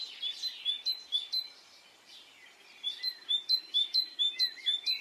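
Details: Birds singing on a spring morning in Brittany, France: a short run of high whistled notes, a brief lull, then a clear regular series of sharply flicked notes about twice a second.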